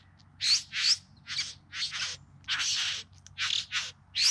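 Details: Male bowerbird courtship display near Melbourne in the Yarra Valley, September 2020: loud rasping churrs and scratchy bursts, some doubled, with short gaps between them and a faint low background hum.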